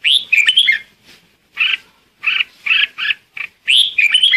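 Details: Red-whiskered bulbul decoy song used to call in a flock: bright, bubbly whistled phrases in short bursts, with brief pauses between notes, clear and close with no other sounds.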